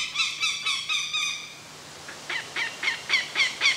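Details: An adult Northern Goshawk defending its nest and diving at an intruder in woodland gives two rapid bursts of harsh, ringing kak-kak-kak notes, about four per second, separated by a brief pause.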